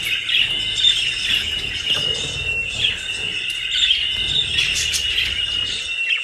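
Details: Several pet budgerigars at home in Den Haag, Netherlands, feeding on dry leaves and grass bought for them; a steady, dense warbling chatter of overlapping chirps and squeaks continues without pause.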